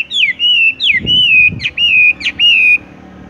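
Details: Horsfield's bush lark song in the tung roll style: four clear whistled phrases, each dropping sharply and then holding a steady tone, with faint rustling underneath.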